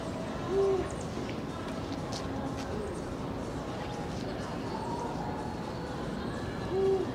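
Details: Eurasian eagle-owl, recorded 16 February 2023: two brief, deep, level hoots, one near the start and one near the end, about six seconds apart, over constant low background noise.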